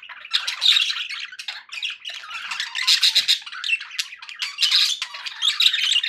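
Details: Pet budgerigars making happy sounds: dense, continuous scratchy warbling and chirping, with bright squeaky notes popping out of the steady chatter throughout.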